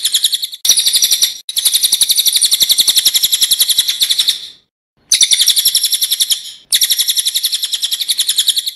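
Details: Cililin, a loud, sharp master song for training songbirds, delivered in a rolling style. Fast buzzy trills of rapid high notes come in long bursts of one to three seconds, broken by short silences. No other sounds.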